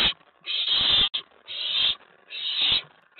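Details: Loud, long, rasping hiss-screeches from an excited owlet in a nest box at night after a mouse delivery, May 19, 2017: three drawn-out bursts, each nearly half a second, with a short click between.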